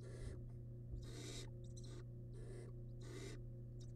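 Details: Feeding wild barn owl chick in a nest box with large rabbit remains, uttering a run of harsh, wheezing hiss bursts, some doubled, over a constant electrical hum.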